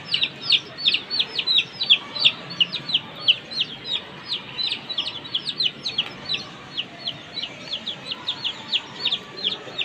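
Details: Three one-month-old chicks of a comet hen peep over one another while playing, a steady stream of high, thin, down-slurred notes, about three every second, with faint background hiss; chicken.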